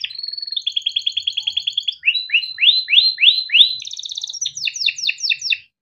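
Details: A young canary, a male kept and raised in captivity, sings a long rolling song used to train young canaries: rapid even trills, then a run of swooping rising notes, then fast chirping rolls.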